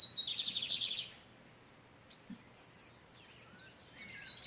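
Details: [5, 'In the wild, male lined seedeaters trade songs as a female sits on her eggs. A rapid high trill of repeated buzzy notes lasts about a second. Quiet background follows, with faint whistles at the end.']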